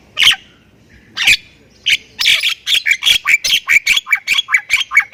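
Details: Thailand-type Javan myna singing in 'gacor full isian' style: a few separated squawks, then an accelerating, steady series of scratchy, buzzy chatter notes.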